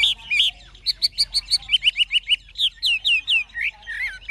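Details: Chinese hwamei, an old wild-caught bird kept caged, in forest-style voice: rapid repeated whistled notes in short series, shifting from high clipped phrases to rich downward-curving slurs, each delivered several times.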